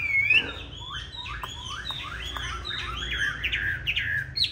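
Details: Chinese hwamei of the green-bean-eye type, fighting song used to coach hwamei into a gentle song: an opening high slurred whistle, then a steady chain of quick, downslurred chirps and twisting warbles.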